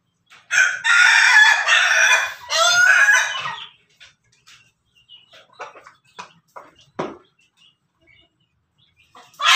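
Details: Rooster of a Pelung, Bangkok and Ketawa cross breed crowing: a loud, harsh, harmonic-rich crow lasting about three seconds with a brief break, followed by scattered faint clucks and clicks.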